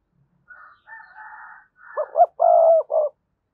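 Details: Spotted dove cooing recorded as a decoy to stir wild doves into answering. Higher, hoarse buzzing notes lead into a low phrase of two rising hoots, an extended coo and a short last note.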